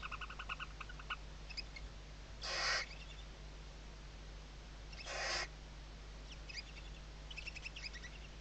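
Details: Barn owl nest webcam in the Ebro Delta, Spain, 2023, young under the mother's wings: soft rapid chittering, two hoarse hisses about two and a half seconds apart, then more faint chitter.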